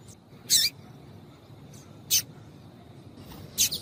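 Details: A female Double-collared seedeater gives three short, high, sharp chip notes about one and a half seconds apart over a faint hiss, used to excite males into singing.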